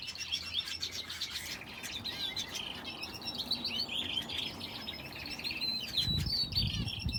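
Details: Finches and a canary in an aviary keep up rapid, uneven high chirping, roughly four notes per second, thin twitters layered over one another, with low knocking noises near the end.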